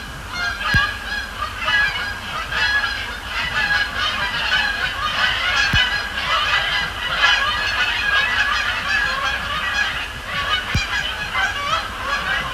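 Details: A large group of Canada geese honking continuously at night on Sapsucker Woods Pond at the Cornell Lab of Ornithology, during an October session of fly-overs and splash-downs; dense overlapping honks, roughly one per second, with a few sharp clicks.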